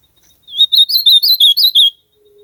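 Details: Ultramarine grosbeak singing in nature: a quick warbled phrase of about eight high, slurred whistled notes over roughly one and a half seconds, each note rising and falling. A faint low steady tone follows after the phrase.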